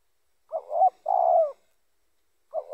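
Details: Spotted dove calling as a lure for other spotted doves: a rising-then-wavering coo followed by a long steady mellow coo, with the next phrase beginning at the end.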